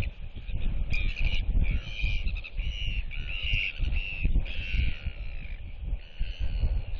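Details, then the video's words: Royal albatross performing a display toward two chicks, turning its head side to side as neighbouring birds clack; a run of loud, sustained, slightly falling whistled calls in quick succession, heavy wind noise underneath. "Royal Albatross ~ NTF Follows SSTrig's Footsteps & Displays & Whistles to UQ & Quarry Chicks!"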